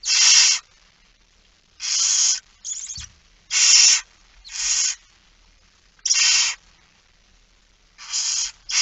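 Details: Barn owl begging at feeding time, 06:57, 13 September 2019: a run of coarse hissing screeches of varied length, one short clipped call and a brief low knock among them.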